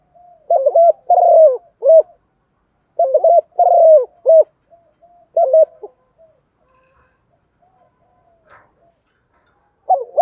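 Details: Three phrases of low rhythmic cooing from a spotted dove used to lure wild doves in the morning, each stuttered opening, long dipping coo and short tail note, followed by quiet soft coos and near silence.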